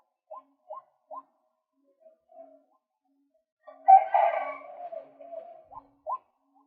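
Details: Three short, sharp upward notes from a male white-breasted waterhen, then a loud, rasping croak that trails off, and two more clipped notes. The recording is used to lure birds.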